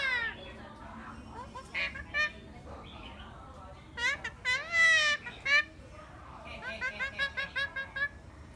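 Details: An Eclectus parrot chatters in rapid, babbling bursts of short nasal notes, with a louder run of arched, honking calls near the middle and a rhythmic series of quick notes at the end.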